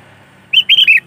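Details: One brief, bubbly phrase of slurred whistles from a sooty-headed bulbul singing in energetic 'gacor' style, meant as a lure for catching bulbuls, over a faint low hum.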